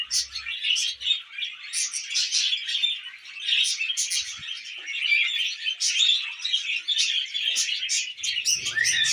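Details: Pet budgerigars, tamed and feeding on millet, fill the room with nonstop chirruping: rapid high squeaks, clicks and warbled phrases layered over one another, with a brief low rumble near the end.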